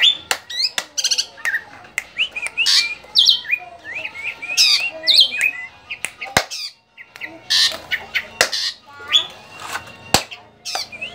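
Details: Javan drongo, described as now rare, gives a busy run of varied calls: short rising whistles, harsh squawks and chirps, broken by sharp clicks, mostly high-pitched.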